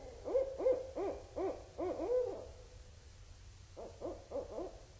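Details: Barred owls calling at Indian Cave, autumn 2012; loud monkey-like cackles, arching hoots repeated about three per second in two bursts separated by a brief pause.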